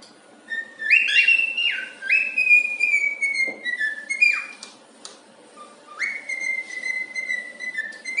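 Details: Indoor cockatiel, described as happy, singing If You're Happy And You Know It and knocking: repeated bright whistled notes rising in steps and held, a pause with a few sharp knocks, then a long held whistle.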